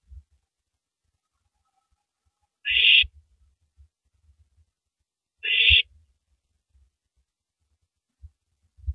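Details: At 3:33 AM on 9 April 2012 an owl on a live camera works at a big rabbit before swallowing it. Two harsh, noisy hisses about three seconds apart stand out over soft scraping and thumping.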